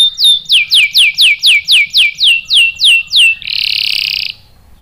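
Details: Canary singing in response to a female bait call; a series of loud descending swept whistles repeated about four per second, followed by a short, dense buzzy trill.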